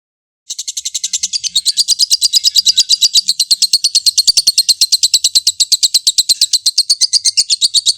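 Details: Lovebird giving a long ngekek, a continuous fast chattering trill meant to provoke rival birds, used as a tutor recording. After a short silence, rapid harsh buzzy pulses start and run unbroken at high pitch, with steady loudness, for seven seconds.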